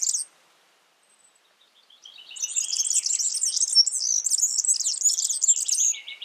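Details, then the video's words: In the wild, a Yellow-fronted canary gives a brief high note, falls quiet, then bursts into a long, rapid, high twittering song of jumbled trills that ends on lower buzzy notes. "Suara burung Mozambik gacor di alam"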